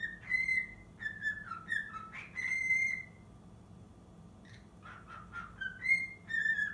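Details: Cockatiel aged six months whistling its practice of the Totoro melody. Pure, ringing notes alternate high and low for three seconds, then quiet, then a few soft chirps and renewed whistling.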